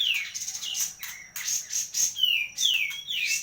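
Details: Kapas tembak recorded in Medan, singing bright slurred whistles that slide downward, interspersed with buzzy chatter, while a steady high tone persists in the background.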